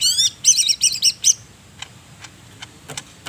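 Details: Greater green leafbird from Banyumas, Central Java, giving a short burst of high rapid chirping phrases, four quick clusters, followed by faint scattered clicks.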